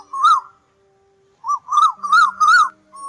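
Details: Lure recording of Asian koel for night netting of migrants, August 2024: short clear whistled notes rising and falling, one alone then four in quick succession, over a faint steady tone.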